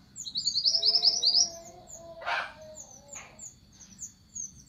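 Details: An orange minivet calls the flock with a rapid, bright, high-pitched burst of repeated slurred notes at the start, followed by a sharp broadband clatter and a scatter of thin distant chirps.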